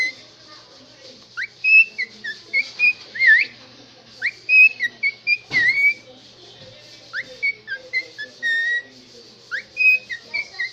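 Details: A pet cockatiel sings a run of clear, warbling whistles with quick upward slides and trills.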